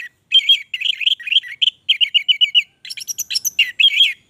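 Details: Orange-headed thrush (anis merah) singing in lively gacor style: rapid, varied run of sweet whistled and chattering notes in quick bursts, brief pause, then a higher, busier phrase; no other sounds.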